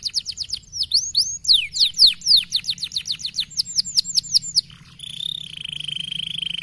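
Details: Canary singing a fast, dense gacor speed rapat song used to rouse fighter canaries: rapid high down-slurred whistles, several per second, then a quick trill and a sustained buzzy high tone, over a low steady hum.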